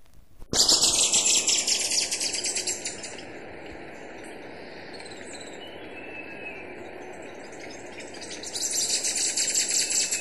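Western Hemispingus song: bursts of fast, high, dry chattering notes, pausing in the middle before a second burst, over a steady background hum.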